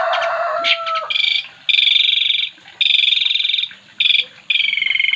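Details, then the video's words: Oriental magpie-robin singing at a countryside hut near rice fields: loud, buzzy, rasping phrases alternating with brief whistled notes, with bursts repeated about once a second and short pauses between them. "Suara Burung Kacer"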